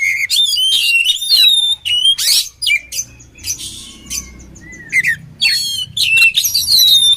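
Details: Oriental magpie-robin song meant for training birds, with loud whistled notes, harsh squawky bursts and sharp upward sweeps in broken phrases, a brief pause midway and a low hum behind.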